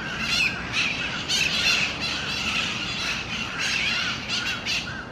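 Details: Mitred parakeets feeding on seeds in a Miami-Dade County, Florida park on 4 December 2016 give harsh, grating squawks in overlapping continuous chatter, with louder screech bursts every second or so.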